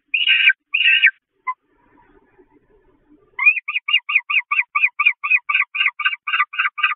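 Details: Peregrine falcon chicks at the Catharinakerk church nest on 5 May 2021, very hungry and attacking their mother: two harsh raspy bursts, a quiet gap with faint scraping, then a fast run of clipped chattering notes, roughly two per second.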